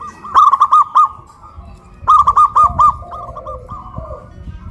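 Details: Two zebra doves (perkutut) in Kuningan, West Java, hoisted high and calling in a duet, one with a big local voice and one with a crystal voice: two bursts of five quick, ringing, bubbly notes, then lower, deeper coos.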